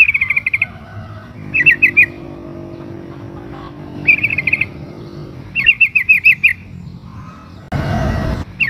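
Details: ['Sooty-headed bulbul female in breeding condition calls to the male in repeated brisk bursts of sharp chirps, several groups spaced a second or two apart, with a loud broadband rustle near the end.']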